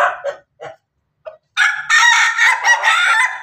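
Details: Crossbred chicken, Ayam Ketawa Bangkok with Pelung, in Banguntapan, Yogyakarta, about to lay eggs: four short clipped clucks, then a loud sustained harsh crow held for about two seconds with wavering tone.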